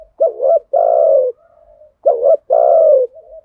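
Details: Two full spotted dove phrases from a lure recording for stimulating trained birds: a quick double note, then a long mellow coo falling slightly at the end. A faint soft note sits between the phrases.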